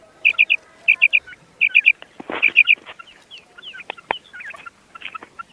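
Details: Common quail uttering four quick three-note calls at the start, high and clipped, before a rustling burst and assorted scattered chirps and swooping notes take over.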